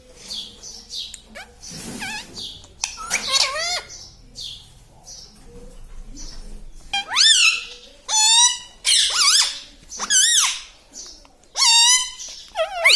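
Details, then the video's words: Indoor talking parrot giving a long series of sharp, harmonic, word-like calls, some swooping and some wavering, becoming louder and more regular in the second half. "Papa Mummy Bolne Wala Tota - Talking Parrot - Me Tota Me Tota"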